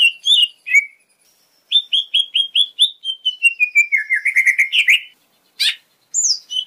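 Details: Gacor lesser green leafbird (cucak ijo mini) with full isian filling: a series of about ten repeated whistled notes gliding gradually lower, then a fast twittering run, a sharp burst and a final rising whistle.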